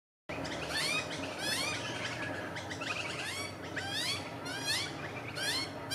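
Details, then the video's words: Magpie chick calling while being fed by an adult magpie: repeated harsh, rising-and-falling raspy calls with stacked overtones, several bursts through the recording over steady low background noise. "Magpie & Chick"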